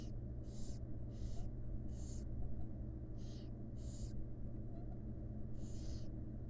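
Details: Wild barn owl nestlings in a nest box, fed by their mother, make loud rasping hiss-snores, roughly seven bursts in irregular rhythm, each under half a second, above a strong steady low hum.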